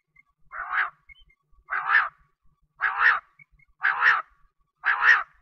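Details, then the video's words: Quail (bater) giving a harsh, rasping call about once a second, five times in a steady series against a quiet background; the sound is offered for quail hunting in the wheat season. "BATER Ki awaz || Batair ki awaaz || Bater ki Baang"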